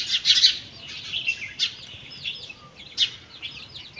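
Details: Backyard chicks with their mother hen at feeding time; a few loud, squeaky peeps at the start, then softer scattered descending chirps and another sharp peep near three seconds.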